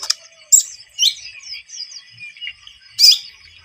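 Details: Javan munia, recorded as a trapping lure, giving sparse high, thin squeaks and soft slurred notes spread over a few seconds, with one louder sharp chirp near the end.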